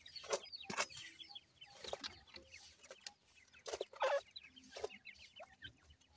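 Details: Feeding, playful grey francolin chicks keep up a busy stream of short, shrill, downslurred peeps from several birds at once. Scattered knocks and scuffing sounds are mixed in.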